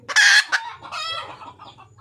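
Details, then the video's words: A red junglefowl hen seeking a male gives one loud, harsh, drawn squawk, a brief second note, then softer harmonic clucks and a low background hum. "le bruit d'une poule sauvage,เสียงไก่ป่าร้องหาถู่หาตัวผู้,ສຽງໄກ່ປ່າຮ້ອງຫາຄູ່ຮັກ, poj qaib qus see"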